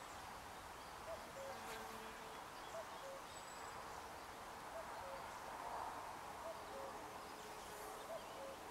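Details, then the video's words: Spring song of a common cuckoo, a soft falling two-note cu-coo given five times at intervals of nearly two seconds, with longer steady low tones and distant high bird notes in a noisy background. "Chant du Coucou gris"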